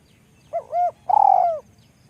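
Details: A spotted dove, noted as small-voiced, utters a single coo phrase: a paired short hoot, a brief gap, then a long tremulous note lowering in pitch before it fades.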